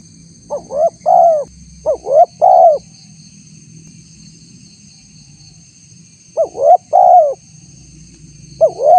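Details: Spotted dove calling for use as a lure to bring in wild doves. Three-note coo phrases, a short note, a rising coo and a long falling coo, repeated in bursts with long pauses. A faint continuous high-pitched hum runs underneath.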